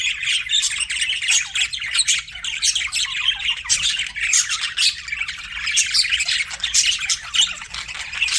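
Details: Budgerigar flock chirping nonstop, a dense wall of scratchy chatter and rapid clicks with high squawky peaks, steady loudness throughout.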